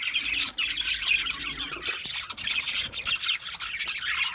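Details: Budgerigars chattering in dense, continuous warbling with squawky, scratchy notes and bright chirps, many voices overlapping without a pause.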